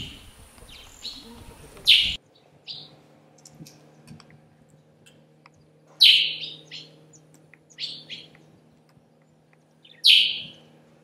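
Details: Northern grey-headed sparrow, subspecies ugandae, in Akagera National Park, Rwanda, in March 2013: sharp, high chirps repeated roughly every four seconds, each followed by a few softer short notes, over a faint low hum.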